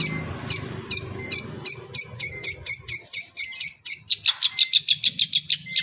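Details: Long-tailed shrike singing like a canary, a steady, accelerating series of high, ringing chirps repeated roughly twice per second, growing quicker toward the end.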